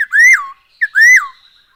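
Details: Black-throated laughingthrush, used as a lure to make birds sing. Two loud whistles, each rising then dropping sharply, are spaced under a second apart. A short note comes before each one.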